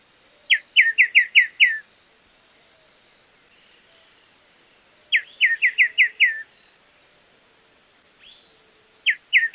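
Crested Becard giving quick bursts of five or six clear, slightly falling whistled notes, repeated every few seconds, over a faint steady high insect hum.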